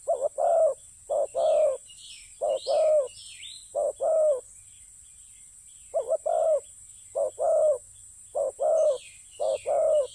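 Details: Spotted dove at a ground decoy-trapping spot, repeating low paired coos, a short note then a longer rolling one, about every second and a half, while small birds chirp in the background over a steady high hiss.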